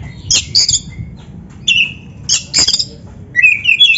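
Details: Kacer, the Oriental magpie-robin, singing gacor as training material for kept birds; harsh scratchy bursts alternating with short falling whistles, ending in a rising whistled trill.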